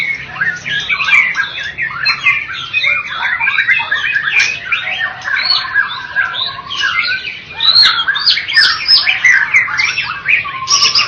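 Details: Champion white-rumped shama (murai batu) from a bird competition, Medan and Java type: long, energetic song of clustered chattering bursts, trills and bright whistled slides, packed tightly with brief louder peaks over a soft low hum.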